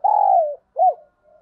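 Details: Spotted dove lure recording: a long, low, sustained coo that drops at the end, then a short arched coo and a faint tail.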